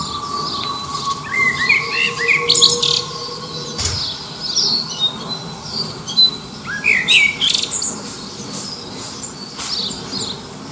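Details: Male-style territorial singing by a common blackbird near Liverpool, vying with other birds in the distance for a mate; clusters of warbled notes and squeaky high twitters in bursts, over faint low rumbling background noise.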